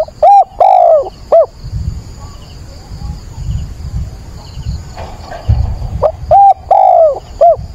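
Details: Decoy spotted dove cooing at daybreak on 22 October, used to call and train wild doves. Two full coo phrases of four notes, the third drawn out and descending, separated by low rumbling background noise.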